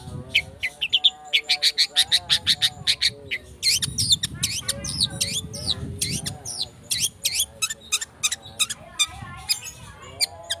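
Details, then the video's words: Rapid lure song of a long-tailed shrike, used to provoke singing: fast runs of sharp high ticks and chirps, some harsh scratchy bursts mid-way, with steady lower tonal lines sounding underneath. "Cendet Speed rapet - PANCINGAN CENDET"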